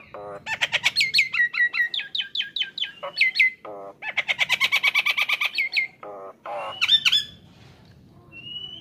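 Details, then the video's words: A very vocal Nias hill myna, used as a song-training recording, sings loud, harsh, rapid runs of squawky chattering notes, several per second, broken by sharp whistled and nasal calls. "Jalak Nias GACOOOR"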